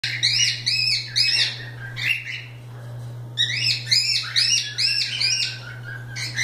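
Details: Several free-flying pet cockatiels playing together, giving rapid, repeated bright chirps with rising and falling harmonic notes in quick bursts, a steady low hum running underneath.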